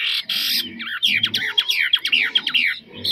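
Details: Caged Chinese hwamei said to sing very well without faults: a loud, rapid run of varied, slurred whistled notes rising and falling in quick succession, indoors.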